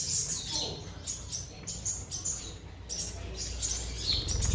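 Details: Caged black-throated sunbird in full song, giving bright, very high chirps about two or three times a second, with faint rustles between the notes.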